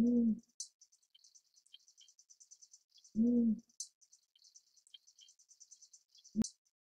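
Tawny fish owl giving deep, short hoots about every three seconds over a steady high chorus of night insects.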